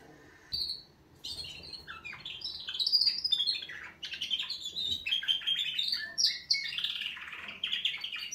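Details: Canaries in a wake-up song: after a lone note and a short pause, a long stream of sweet trills and chattering phrases swells steadily louder.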